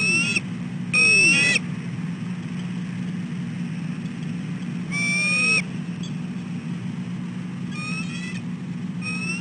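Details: Female bald eagle calling at 6:34 am on 4 December 2013 for her mate to relieve her on the eggs: several thin, rising and slurred whistles in short clusters, with a constant low rumbling hum beneath.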